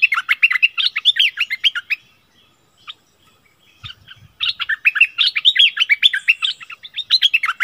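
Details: Streak-eared bulbul kept as a decoy, recorded 16 February 2021: two bursts of rapid chirpy, bubbling notes separated by a two-second gap holding a soft low thump and rustle.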